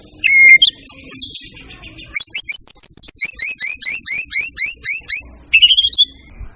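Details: Singing white-rumped shama: a clear whistle with a flick, a buzzy phrase, then a long, fast sequence of bright, up-slurred double notes repeated steadily, ending in a higher rattling burst.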